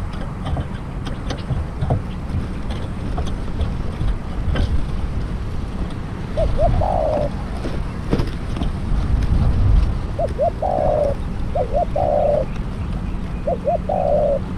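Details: Decoy spotted dove for trapping coos several times in the second half: paired rising notes with rough, falling coos, partly masked by loud low rumble and clicking noises.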